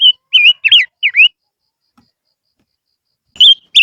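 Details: Lure song of a silver-eared mesia: a quick run of four wavering, up-and-down whistles, a long pause, then two more bright whistled notes starting again.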